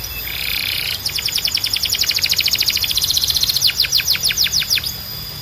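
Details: Canary song opening with a harsh buzzy note, followed by a fast, even trill of high clipped syllables and then a slower run of bright descending whistles.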